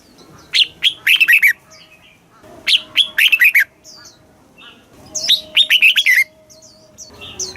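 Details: Caged red-whiskered bulbul, Thailand, singing southern master-style phrases to stimulate birds and tutor young: three energetic runs of quick falling whistles about every two and a half seconds, with soft high chirps of other birds between.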